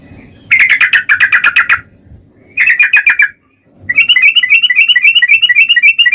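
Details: Long 'ropel' song of a yellow-vented bulbul, played to make other bulbuls sing: two dense bursts of rapid rattling notes, then a sustained run of quick bubbly slurred phrases, with a soft low hum.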